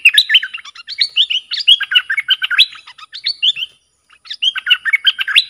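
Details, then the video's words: Worked-up bulbul singing as a lure against wild rival birds: dense run of quick whistled, bubbling phrases jumping up and down, nearly continuous, with one brief pause near the end. "เสียงนกดอกแตงEp.120 จ้าวขุนศึก ของขึ้น!!? 2หลักนกป่าหายหมด Suara pikat merbah lekir"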